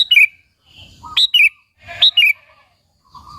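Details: Sooty-headed bulbul singing to provoke other bulbuls: crisp, quick two- and three-note chirps with a slight downward slur, given in a rapid sequence with a soft lower note between phrases.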